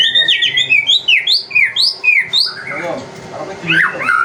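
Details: White-rumped shama, murai batu, used as a lure to get other birds singing: a quick series of bright downslurred whistles, then softer warbled notes.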